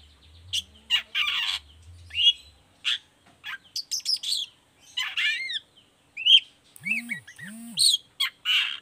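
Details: Long-tailed shrike song used as a lure so other shrikes reply and join in: a varied stream of harsh chatter, rasping notes and mimicked whistles, with a low hum early on and two low swooping sounds near the end.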